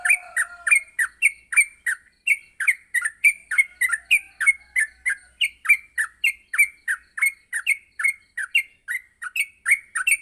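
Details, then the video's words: Yellow-vented bulbul recorded in the morning for training other bulbuls: an unbroken, lively series of short, bright chirps with a falling slur, about three notes a second, steady and loud throughout. "masteran pagi burung trucuk untuk melatih trucuk agar cepat ngropel"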